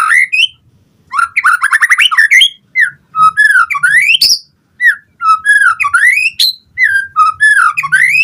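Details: White-rumped shama, a vigorous singer used to provoke other birds to answer: fast rising note series followed by swooping whistled slurs, rising and falling in repeated phrases.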